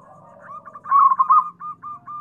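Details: Local zebra dove song, used as a lure to prompt other doves to answer and to stir quiet birds; a brief run of quick, clipped mid-pitched coo notes, loudest in the middle, then softer evenly spaced notes, with low background hum.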